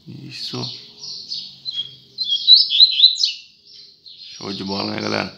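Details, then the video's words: High, rapid twittering song of a double-collared seedeater at dawn, growing louder with sharp whistled accents, with short bits of human speech at the start and the end. "Coleiro Braddock Amanheceu Assim! Picando Canto Adoidado!!!"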